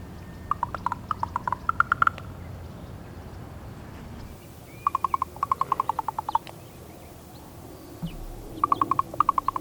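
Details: Three bouts of rapid knocking from a female raven, each a string of crisp, woody clicks, some pairs rising slightly. She is using these calls to communicate with her mate.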